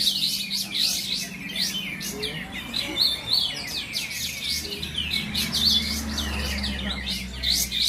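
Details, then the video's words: Rapid high twitters and trilled phrases from caged kapas tembak bulbuls competing in a Pasaman Timur bird-song contest at Bonjol, overlapping constantly, with low crowd hum below. "Kelas Kapas Tembak"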